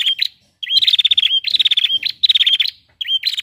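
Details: A female prinia's call meant to get males singing: a brief upslurred note opens each fast, rattling trill of high ticks. Three or four bursts are separated by short silences.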